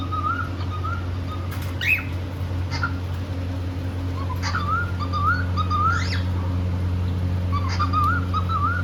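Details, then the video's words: Happy pet cockatiel in India, singing while playing: wavering warbled whistles in short runs, broken by a couple of sharp upswept chirps, a constant low hum behind. "Happy cockateil bird singing and playing"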